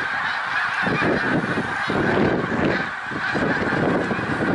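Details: Thousands of voices from snow geese at Pennsylvania's Middle Creek Wildlife Refuge, 1 March 2021: a constant babble of high, nasal honking, with nearer, deeper calls rising and falling in the foreground.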